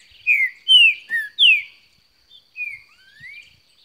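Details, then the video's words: Green-winged saltator in energetic song, delivering a phrase of four strong whistled slurs, several sweeping downward, followed after a pause by softer rising whistles; a faint constant high hum sits behind. "Trinca ferro cantando muito"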